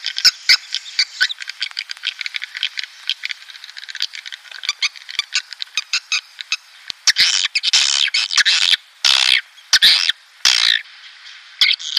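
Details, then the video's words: Swiftlet calls played to lure breeding swiftlets into a nesting building: a fast series of short clicking chirps for several seconds, then louder harsh buzzy squawk bursts separated by brief pauses. "SP Walet Klimax 2019||Origional Teruji Tarikannya Dahsyat.."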